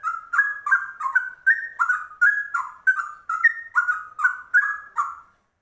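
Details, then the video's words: Rare trucuk bulbul giving a straw-headed-bulbul-style ropel: a steady fast chain of warbled whistled notes, around three per second, that ends abruptly after five seconds. "Trucuk langka ropelannya cucak rowo"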